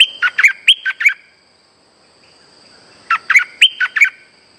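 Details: Caged streak-eared bulbul song played as a trapping lure: two matching bursts of sharp, chattering chirps, each about a second long, separated by a two-second pause. The background is quiet.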